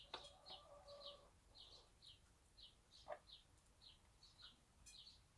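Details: Bantam mother hen with her one-day-old chicks in a small backyard farm: a low drawn-out tonal hen call in the first second, a short cluck near three seconds, and soft high chick peeps repeating throughout in a quiet setting.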